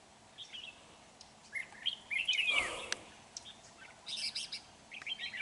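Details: Red-whiskered bulbul singing during trapping with a lure bird on 31 January 2019: brisk warbled phrases interrupted by a brief dull thump, then more chirpy notes toward the end.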